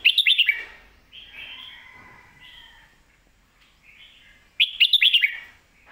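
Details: Red-whiskered bulbul in lak wai / mae bot song: a short bright run of slurred whistles opens, soft mellow warbles follow, then another loud rapid burst of five or six notes.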